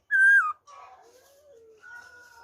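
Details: Black-throated laughingthrush in wild-type song, recorded 26 December 2020: one loud, clear falling whistle, then softer low wavering warbles and a long steady quiet whistle.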